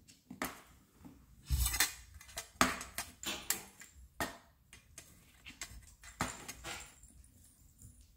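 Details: Irregular sharp clicks and taps echo in a small indoor room, with no animal voice heard.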